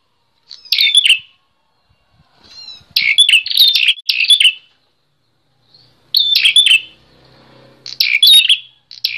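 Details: Singing bar-winged prinia, used as a master recording for other songbirds: separated phrases of piercing high chirps, with pauses between and faint low background hum.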